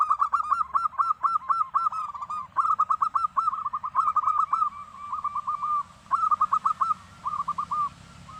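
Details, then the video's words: Local zebra dove singing busily: bursts of rapid, bubbling cooing notes around one pitch, each phrase a quick stuttering trill followed by drawn-out rolling coos, repeated through the recording with brief pauses, faint low background hum. "suara perkutut lokal gacor"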